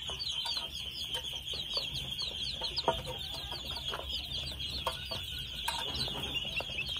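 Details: Constant thin, high, falling peeps from two-month-old red junglefowl chicks, closely spaced and overlapping, with faint clicks and taps below.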